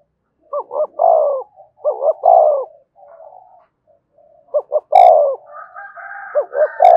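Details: Spotted dove used as a lure bird for training freshly caught doves. It gives repeated phrases of paired rising hoots and a long descending burry coo, with quieter murmuring between them and a higher drawn-out tone near the end.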